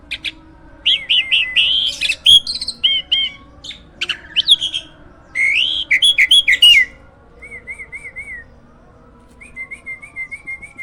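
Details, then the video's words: Caged hybrid jalak (myna) kept to teach other birds; rapid chattering and twisting whistled phrases in dense bursts, followed by softer sets of repeated looping whistles. "JALAK HYBIRD GACOOR!! MASTERNYA PARA JUARA."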